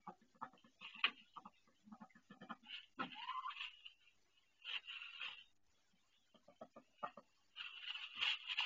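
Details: Domestic female duck indoors on a self-built nest, calling in pain while laying her first egg: stuttering raspy bursts, then longer loud harsh nasal calls around three, five and eight seconds, with quiet gaps between.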